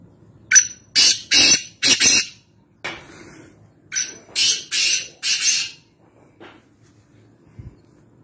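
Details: Harsh grating calls of a wild black francolin (kala teeter) from Nawabshah, Pakistan: two back-to-back phrases, each a short clipped note and three longer raspy notes, then a faint softer note and quiet background.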